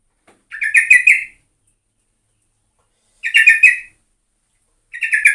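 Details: Yellow-vented bulbul lure recording: three short, throaty bubbling phrases, each well under a second, spaced a couple of seconds apart, with silence between.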